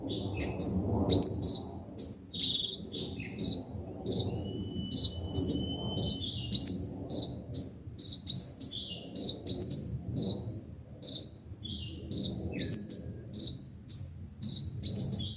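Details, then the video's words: Speaker lure recording of five-colour and seven-colour sunbirds for bird trapping: a steady run of sharp, very high rising zips and chips, each burst under a second apart, broken by a long thin level whistle, with a quiet low-frequency murmur behind. "Tiếng chim hút mật 5 màu và 7 màu dùng để bẩy loa"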